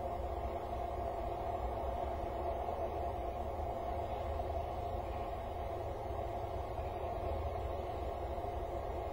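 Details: Constant low droning noise with a broad hiss runs throughout, and no animal call can be picked out.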